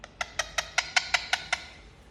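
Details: Pet Indian ringneck parakeet giving a rapid run of eight harsh, clipped squawks, about five each second, evenly spaced and slowly fading, over a quiet background.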